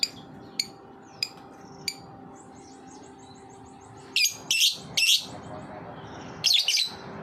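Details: Lovebird giving a lure-style ngetik song: a few sharp isolated chirps early, then loud bursts of dense, high, rapid chattering near the end, over a steady low hum.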